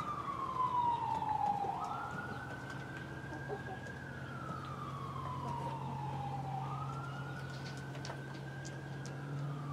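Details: A wailing siren slowly rising and falling over a steady low hum, with faint background voices, no animal sound.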